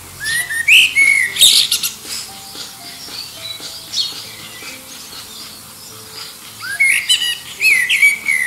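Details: Common blackbird singing against other birds in the distance to attract a mate, near Liverpool; fluted rising phrases with high twittered endings open and close the passage, with a faint steady low hum from the aircraft or machinery between.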